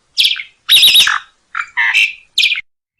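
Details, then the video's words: Asian pied starling singing in a bird-tutoring recording full of fills: a few loud, harsh, chattery bursts with rough squawky texture, separated by brief silences. "masteran jalak suren 1 menit langsung ikut bunyi ful isian mewah"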